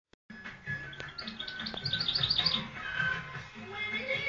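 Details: European goldfinch singing, praised for a very beautiful voice; a short burst of quick, high twittered notes in the middle, over low rumbling background noise.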